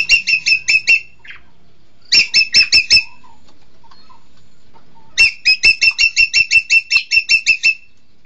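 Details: Green magpie, locally called engkek keling, giving three bursts of loud ringing repeated notes, the last run longest at about fifteen notes, separated by short pauses with a few faint softer sounds.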